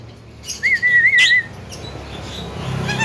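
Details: One level, gently wavering whistle of about a second from a chatty captive Javan myna said to be able to talk, against faint background hum.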